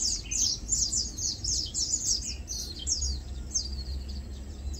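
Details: Lowland White-eyes (Zosterops meyeni), local name Matang Dulong, chilling, feeding and preening; rapid high thin twittering notes tumble over one another in a steady chatter, with low background rumble.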